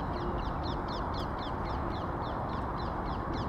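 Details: A crow that is fed peanuts and sultana raisins gives a rapid series of short, sharp, downslurred calls, about four per second, steady throughout, over a constant loud roar of traffic-like background noise.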